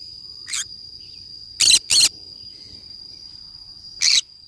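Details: Green-cheeked conure (Pyrrhura molinae) parrot in a forest gives four short, harsh, scratchy squawks, two close together, over a steady high-pitched whine like an insect.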